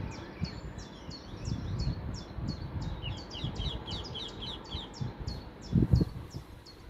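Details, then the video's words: Song thrush singing at Weston village on 30 April 2023: a series of repeated high, sharp notes about three per second, with clearer fluty phrases in the middle, over a steady rumble of background noise and a brief knock near the end. "Song Thrush singing"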